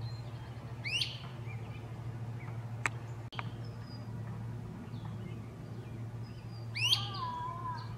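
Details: Two loud rising whistled wheeps from a great crested flycatcher in treetop foliage, about six seconds apart. Soft chirps from other birds and a constant low droning hum run underneath.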